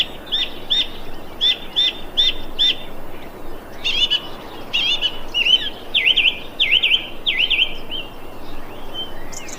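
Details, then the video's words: Thrush calling on 25 February 2021: a clear bird repeats short, high, clipped notes in quick pairs, then shifts to a run of loud swooping, down-and-up whistled notes, with faint background hiss. "Thrush bird calling"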